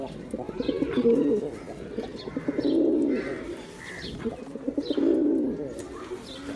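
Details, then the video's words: Male pigeon cooing, a sound used to attract other pigeons; three deep, rolling coo bursts about two seconds apart, each swelling and fading, with faint chirps from other birds between them. "Pigeon sounds attract pigeons || Male pigeon Sound"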